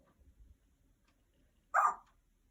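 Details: A 35-year-old female Congo African Grey Parrot, a pet kept indoors in a home with five dogs, imitates a dog's bark directed at her owner. A single short, loud bark comes near the end after a quiet room with faint rustling.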